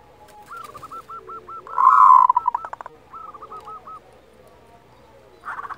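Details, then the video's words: Kerot call of a local zebra dove, used to raise breeding drive and emotion in quiet doves: a row of short even coos, then a louder burst of rapid clipped notes, followed by more soft rolling coos. "SUARA KEROT Perkutut lokal Masteran Ampuh Untuk Menaikan Birahi dan Emosi"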